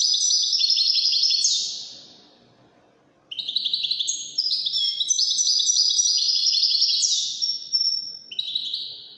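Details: European goldfinch, Wydani type, giving two bursts of song separated by a short silence: fast, high, tinkling twitters, buzzy trills and sliding notes strung into long jangling phrases.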